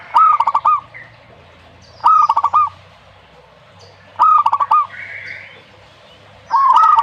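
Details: Zebra dove song: short bursts of soft, rapid, trilled cooing notes, each phrase about half a second long, repeated about every two seconds over a quiet background with faint low hum.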